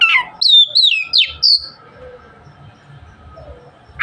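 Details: Oriental magpie-robin giving a short burst of loud high swooping whistles and sharp chirps, then near silence before a final raspy note.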